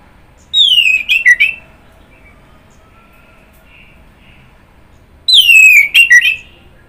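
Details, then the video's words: Orange-headed thrush singing two phrases, each a loud descending whistle running into quick twittered notes, separated by a quiet gap with faint soft notes. "Kicauan Burung Anis Merah"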